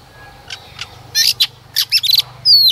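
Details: Female white-rumped shama, used to stimulate males, giving scattered sharp chips and clicks that build into a quick cluster, ending on a clear high whistle.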